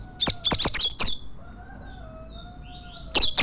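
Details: Champion Double-collared seedeater from fibra tournaments: a fast run of sharp high chips, a pause filled by a faint steady tone and distant twitters, then the chips resume.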